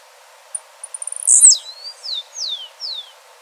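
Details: Wild blue-black grassquit song: accelerating high ticks lead into a harsh, very high buzz falling steeply. A different bird then follows with three or four clear, downward-sliding whistles in steady succession.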